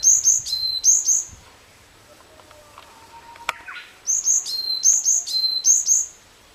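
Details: Varied tit singing: high, thin paired notes each dropping to a lower whistled tone, repeated about once a second in two bursts separated by a quiet pause. A faint lower call sounds during the gap.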